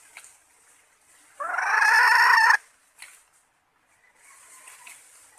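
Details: Female red junglefowl call used as a lure to attract males: one harsh, buzzy, slightly rising note lasting about a second, followed by faint short notes and soft rustling.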